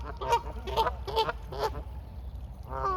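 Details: Mute swans fed at the shoreline give four short, nasal honks in quick succession, then a longer drawn-out call after a pause, with a constant low rumble underneath.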